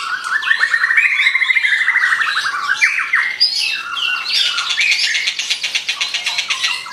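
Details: White-rumped shama singing vigorously: a fast rattling trill of repeated notes that sweeps upward and then falls, followed by denser buzzy, chattering phrases pitched higher, with short sharp accents throughout.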